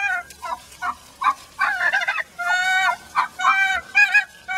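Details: Upset laying hen in a large pen, returned after others nearly killed her, mixing drawn-out nasal squawks with quick gobbling notes, irregular and loud, with a low hum underneath.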